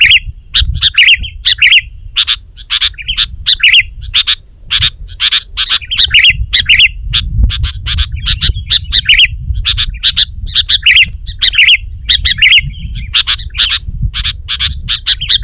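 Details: Lively 'gacor' singing of a sooty-headed bulbul, a sound meant to answer rivals and draw in wild bulbuls: continuous sharp high chips mixed with bubbly fluty phrases, over a steady low background hum.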